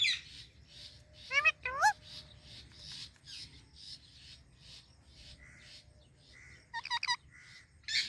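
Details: Indian ringneck parakeet sharing space with Alexandrine parrots: steady faint chirping broken by two loud rising squawks early on and a quick trio of sharp squawks near the end.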